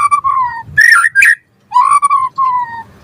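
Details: White-rumped shama song for prompting caged birds: low, pure whistles, drawn out and slowly falling, broken by a pair of quick, twisting, brighter notes.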